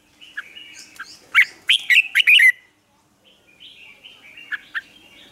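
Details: Caged red-whiskered bulbul singing for morning song training. A loud burst of five or six ringing whistled notes comes first, then a softer, rambling warble with a few sharp chips.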